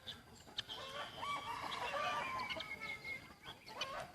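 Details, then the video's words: Young white decoy rooster from a village, recorded 1 June 2020, giving a crow: a sustained, hoarse, level-pitched call with layered overtones lasting over a second, then brief clucks and clicks. "Qaib dib dawb qua zoo heev ไก่ต่อสีขาวหนุ่มเสียงขันดีมาก"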